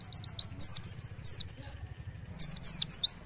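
Oriental white-eye giving a rapid, very high twittering song of sharp slurred notes, pausing briefly before resuming; a faint low hum is in the background.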